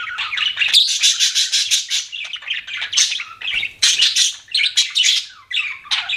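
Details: Pet budgerigar chirping: dense, fast warbled chatter of buzzy notes and rapid chirps, continuous and varied, with no other sounds.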